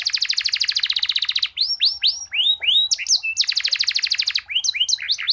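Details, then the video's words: Singing canary with long rolls and a unique style, meant for training other canaries: a dense buzzy trill, then loud swooping whistles, then another rapid roll and quick chirps. "cuit cuit kenari gacor gerol panjang cengkok unik dan mewah cocok untuk masteran"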